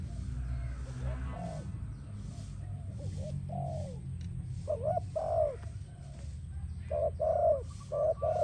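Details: Spotted dove song used for training and attracting doves: soft low coos around mid pitch, grouped in short phrases with gaps, over a steady low rumble of background noise.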